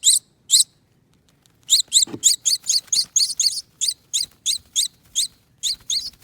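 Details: Two baby finches rescued after hatching in a nest on a front door wreath, being fed by hand. Two sharp high chirps, a pause, then a rapid run of about fifteen piercing squeaky chirps, with one dull thump.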